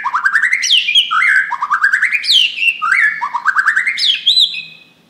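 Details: Loud song of a Borneo white-rumped shama, used as a lure for other birds: repeated phrases of quick whistled notes climbing upward, each capped by a high swooping note, about once per second.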